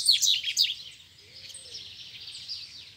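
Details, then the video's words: Wild and caged Double-collared seedeaters challenging each other to a fight: a loud burst of fast, scratchy high chirps, then a softer continuous twittering run and a faint low slurred note. "2 COLEIRO SOLTO E O MEU COLEIRO CHAMANDO PRA BRIGA"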